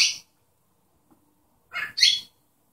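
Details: A pet cockatiel imitates its owner's sneezing: a brief breathy burst, a pause, then a louder doubled sneeze-like puff with a rasping onset.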